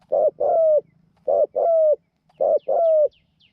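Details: Captive decoy spotted dove with a small voice, set out to attract wild doves to a trap, cooing in two-part phrases: a short throaty note, then a longer falling coo, repeated about every second, with faint distant chirps.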